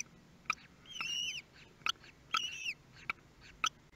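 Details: Newborn common kestrels being fed for the first time at a nest in Théding, 23 May 2022; two bursts of high, thin, wavering whistles, each about half a second long, among sharp irregular clicks.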